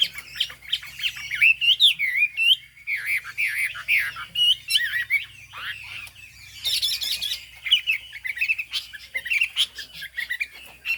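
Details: A Chinese hwamei (Garrulax canorus), a highland bird from Hà Giang, sings a loud, rich run of varied whistles, slurs and harsh notes, nearly continuous with brief pauses, over a faint low hum.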